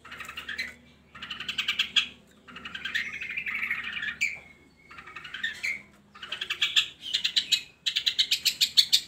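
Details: Lure recording of long-tailed shrike song for lazy shrikes: phrases of rough, rattling chatter separated by short pauses, one long level whistle, ending in rapid pulsed rattles, with low hum behind.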